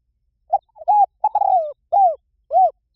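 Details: Spotted dove call: a brief soft note and a stuttered coo lead into a long falling coo, then two clear, hollow, separate coos. No background sounds.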